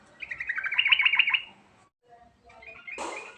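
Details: Sooty-headed bulbul lure call in the rolling 'ngerol' style with filler phrases: a rapid chattering trill of about a dozen bright repeated notes over a second, then a pause, faint notes and a short harsh burst.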